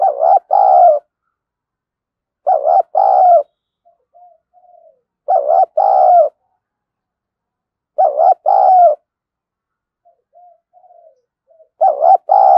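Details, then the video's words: Spotted dove used as a decoy to quickly draw in wild doves, thổ voice style: paired low mellow coo phrases, a short note then a longer one, repeated about every two and a half seconds with soft faint notes in the gaps. "Chim Cu Mồi_cu gay kich boi nhanh noi gù"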